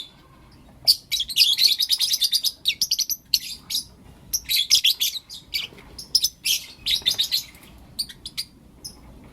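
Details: Lovebirds of Blue Opaline and Lutino Opaline colour forms chirping in the morning: dense bursts of sharp, high twittering notes tumbling over one another in rapid runs, separated by brief pauses.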